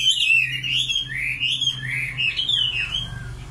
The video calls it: Singing nightingale. amazing bird song